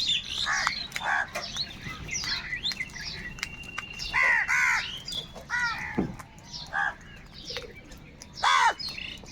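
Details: Huge numbers of crows fighting for food, calling over one another; hoarse descending caws and rasping cries overlap in a busy, irregular chorus, some near and loud, others distant.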